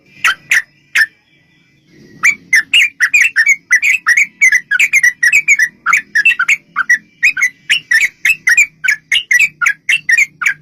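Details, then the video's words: Yellow-vented bulbul giving a long, rapid fighting song meant to draw other bulbuls into singing: three loud notes, a brief pause, then a dense, fast stream of liquid chirping whistles over a low hum. "trucukan gacor TARUNG ROPEL PANJANG pancingan trucukan agar bunyi jadikan burung trucuk gacor NYAUT"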